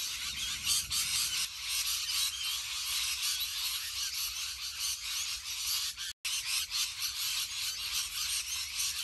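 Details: Huge flock of rainbow lorikeets in Australia producing a constant harsh, high-pitched screeching chorus, many birds overlapping, with a brief cut of silence partway through.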